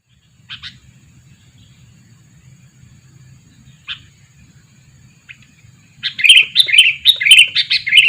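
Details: Two-year-old sooty-headed bulbul kept as a decoy to lure birds: a few isolated short chirps with long quiet gaps, then a loud burst of rapid, bubbly chattering notes in the last two seconds.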